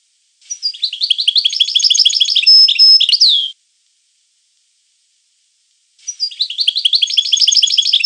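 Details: European goldfinch singing long liquid twittering phrases of about three seconds: dense rapid chirps and trills, a sustained thin whistled note, and a final downward-sliding slur. After a long silence, a second phrase begins the same way.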